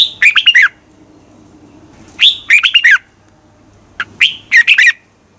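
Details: Red-whiskered bulbul giving morning contest song, used as a decoy bird to train and stir other bulbuls into singing: three bright, whistled phrases of four or five quick slurred notes, spaced about two seconds apart, over a quiet low hum.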